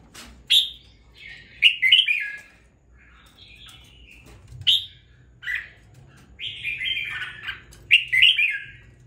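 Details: Caged red-whiskered bulbul, bought on a gamble and kept for two weeks, now singing with some fire: bright whistled warbling phrases, several short bursts spaced a second or two apart with quiet gaps, faint low hum behind.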